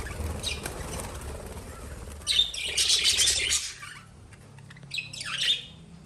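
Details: Pet lovebirds with soft wing flutters, then two bursts of harsh, high squawking chirps. The second burst ends in a quick falling screech, with quieter background noise between the outbursts.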